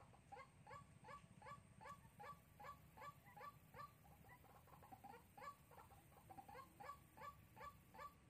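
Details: Lure recording of a white-breasted waterhen made in Sóc Trăng on 2 February 2021: about twenty clipped, croaking notes in eight seconds, evenly spaced and sustained over a constant low rumble.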